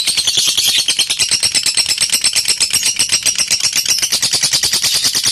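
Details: Ngekek song of a lovebird, played to goad rival birds into singing: an unbroken, fast, buzzy chatter of sharp, regularly repeated high notes that keeps a steady pace and loudness for the whole stretch, recorded in a small room.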